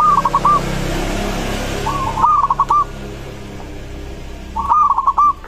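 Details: Local zebra dove singing a song meant to draw replies from other doves. Three short rolling coo phrases of quick stuttered notes, spaced a few seconds apart, with a noisy background.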